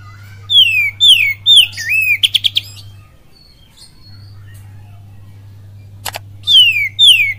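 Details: Caged oriental magpie-robin's song used to provoke other birds to sing, full of kapas tembak and cililin imitations: clear, sharply descending whistles, a quick stuttering trill, a pause, then more falling whistles over a steady low electrical hum.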